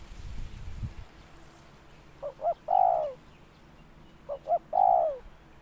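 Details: Calling spotted dove gives two clipped lead-in notes followed by a drawn-out falling coo. The phrase is heard twice about two seconds apart, with faint rumbling noise at the start.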